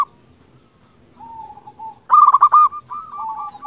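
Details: Local perkutut, a zebra dove sung to coax quiet doves into song: faint low coos at first, then a loud burst of rapid stuttering coo notes followed by softer trailing coos.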